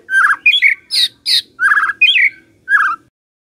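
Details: White-rumped shama song used as a morning lure for a silent shama: loud, rich, chattering phrases alternating with buzzy higher notes, with a low hum in the background.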